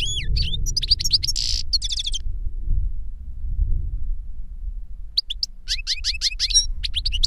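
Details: An older goldfinch singing to teach a younger one: long downslurred whistle, rapid twitter and a buzzy trill, nearly three seconds of quiet, then a dense run of high chips and tinkling notes; low rumble throughout.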